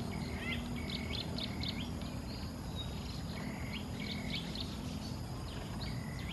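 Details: Indian peahen with her peachicks at the animal study station of Mahasarakham University Museum, Kham Riang, Kantharawichai, Maha Sarakham, July 2016; thin, high whistled peeps dipping then rising, in clusters of two or three, over steady low background noise.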